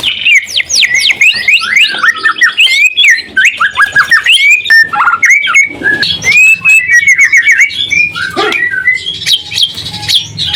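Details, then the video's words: White-rumped shama in full song, used to provoke other shamas into singing back: loud, fast-changing whistles, sweeping slurred notes and rapid trills in dense, continuous phrases with barely a pause. "Suara murai batu gacor AMPUH buat pancingan murai batu agar emosi LANGSUNG NYAUT"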